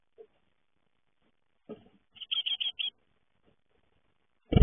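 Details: Great tit fledglings leaving the nest: one quick burst of about five high, sharp chirps close together, preceded and followed by dull knocks and thumps nearby.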